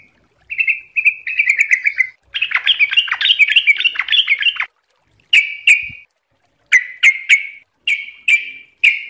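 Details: A sooty-headed bulbul (Pycnonotus aurigaster) sings bright, bubbling whistled phrases, first a rapid chattering run, then short liquid notes repeated about once a second.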